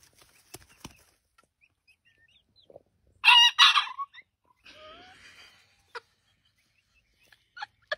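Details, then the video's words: Rooster giving a short, strained, hoarse crow burst in two quick harsh pulses, followed by a softer wavering note, set among scattered clicks and quiet gaps in a compilation of oddly crowing roosters. "Funny Rooster Crows!!!"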